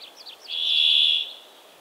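A brambling gives a few quick high chirps, then one drawn-out, even, high note held for almost a second. No other sounds are heard.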